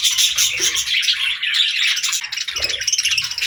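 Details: Budgerigars singing a continuous, rapid warbling chatter, high and scratchy, with faint low rumbling underneath.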